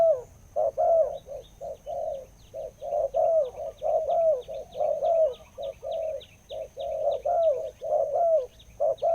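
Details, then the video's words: Deep-voiced wild spotted dove giving a long run of mellow low coos, a short note then a longer slurred one, repeated steadily for about nine seconds over a faint constant high hum. "นกป่าเสียงใหญ่คูอ่าง เสียงดีมากเลยครับตัวนี้"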